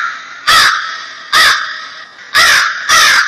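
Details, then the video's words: Crow giving four loud, harsh, grating caws spaced about a second apart, the last two coming closer together, with a faint background hiss between calls. "Real Crow Sounds"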